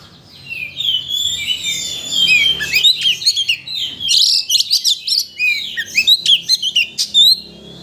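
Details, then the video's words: Song of a White-rumped shama, used to rouse a shama into full singing: a dense tumbling stream of high whistles, trills and quick chattering notes, followed by a series of short clipped phrases. "Pancingan Kacer Untuk Menaikkan Emosi Agar Mau Bongkar Isian"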